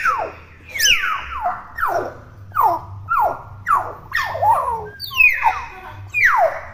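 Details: Noisy young hill myna, still in juvenile plumage, giving a steady run of harsh descending squawks, about one every three-quarters of a second, each sweeping sharply downward, over a faint low hum.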